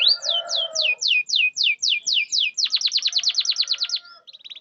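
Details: Canary song played to prompt silent canaries to answer: a run of evenly spaced falling whistles over a brief low buzz, then a quicker dense trill of sharp notes, closing with a short soft high rattle.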